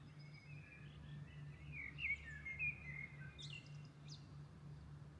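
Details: At dawn in Milan, birds give soft warbled whistles building to brighter twitters, then short high chips toward the end, accompanied by a steady low drone.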